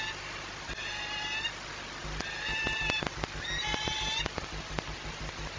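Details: At the Orlen Płock nest in Poland, 6 March 2021, a peregrine falcon in courtship gives drawn-out, whining, cat-like calls with layered overtones. They are repeated in overlapping runs against steady background noise and scattered clicks.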